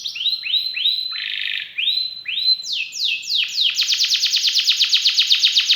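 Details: Canary in full gacor song, its cengkok phrasing richly filled: a series of high notes swooping down and levelling, a brief harsh rasp, more looping sweeps, then a rapid rolling trill of bright clicked notes.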